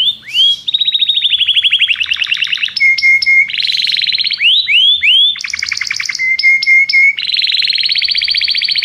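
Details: Belgian canary (Serinus canaria domestica) singing a loud, fast, varied song: rapid trills, rising whistled sweeps and bright repeated chips, all high-pitched and continuous.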